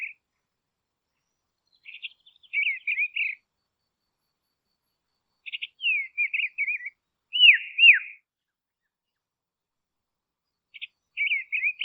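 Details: Dusky robin from Tasmania, Australia: short chirping phrases of quick zigzag notes, each phrase about a second long, repeated every few seconds against clean silence.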